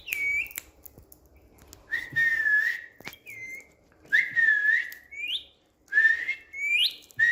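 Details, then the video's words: Smart pet Indian green ringneck parrot on a bed, giving varied whistles: wavering level notes alternating with short upward-swooping whistles, in irregular bouts with a knock or two between. "Smart Whistling Indian Green Ringneck Parrot Talking on Bed"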